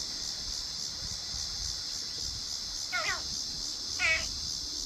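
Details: Backyard crows arriving for a dinner of hardboiled eggs give two short harsh caws about a second apart, late in the stretch, against a constant high-pitched insect chorus.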